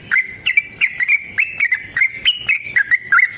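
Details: Sooty-headed bulbul, a kept songbird, in a long fighting song played to make other bulbuls sing; rapid run of short whistled notes near one pitch, each with a sharp upward flick, repeated about once a second.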